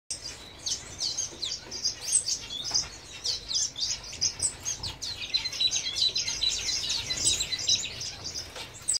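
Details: Red-cheeked cordon-bleu: a dense stream of thin, high-pitched chirps and squeaky notes, closely overlapping and nearly continuous, with a few soft fluttery sounds and faint low background rumble.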